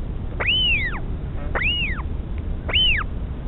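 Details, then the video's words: Northern royal albatross, a mother feeding her chick at the nest in the Pukekura/Taiaroa Head colony near Dunedin, New Zealand; three high arched whistles, each rising then falling, spaced about a second apart over a low background rumble. "Mum feeding chick (with sound)"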